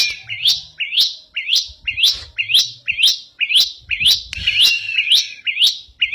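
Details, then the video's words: Bar-winged prinia singing steadily in ngebren style: sharp, high upward-sweeping notes repeated evenly about twice per second, a metronome-like series of bright chips with faint low hum beneath. "Burung Ciblek Ngebren Rajin Gacor"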